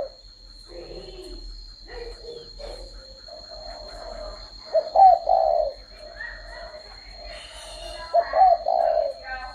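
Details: Spotted dove cooing: after quiet murmuring, two loud three-part coos, a short note then a longer mellow rolling coo, about three seconds apart, with a steady high-pitched whine behind.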